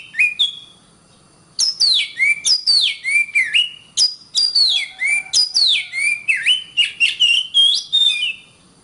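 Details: Oriental magpie-robin singing on a tutor recording for training songbirds: fast, varied whistles sliding down from very high to mid pitch, strung in rapid series of short phrases with sharp clicks between.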